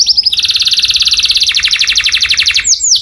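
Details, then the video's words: Loud canary song meant for other birds to imitate. A few quick whistled slurs lead into a long, dense rolling trill that drops slightly in pitch partway through, ending in sharp swooping notes. "O SOM DO CANÁRIO SOM ALTO DE OUTRO PÁSSARO PARA IMITAR"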